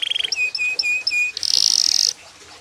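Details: Brief yellow canary phrase: a quick trill, a series of flat pure whistled notes, then a harsh high buzzing roll that stops suddenly, leaving quiet.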